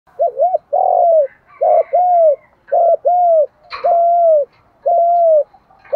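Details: Spotted dove decoy bird used for trapping, calling in the 'giọng thổ pha' voice style: mid-pitched two-part coos, a short rising note then a longer even hoot, repeated about once a second, with one sharp knock midway.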